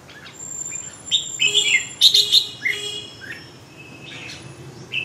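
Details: Red-whiskered bulbul singing a run of short, bright chirped and warbled notes, several quick phrases clustered in the middle, then a softer rising note near the end, over a low steady background hiss.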